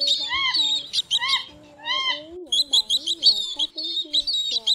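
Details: Pheasant-tailed jacanas: a flock of males, females and chicks calling during 2024 migration, giving nasal, mewing calls that arch up and down, with quicker high notes over them. Several birds call at once, overlapping.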